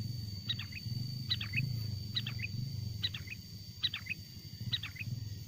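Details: Song of a wild sooty-headed bulbul, played as a lure to bring wild birds near: brisk repeated phrases of three or four clear chirpy notes, about every 0.8 seconds, over a constant high whine and low background rumble.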